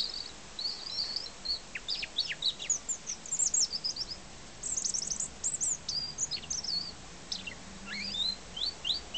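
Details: European robin singing in a garden apple tree in summer 2006: a varied, high, thin warble of quick tumbling notes and trills, phrases separated by brief pauses, over a faint background hum.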